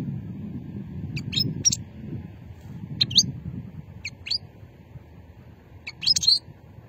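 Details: European goldfinch of the old song strain, Sétif region, Algeria, 2020; sparse high-pitched twitter phrases spaced a second or more apart, ending in a louder tinkling burst, low background rumble throughout.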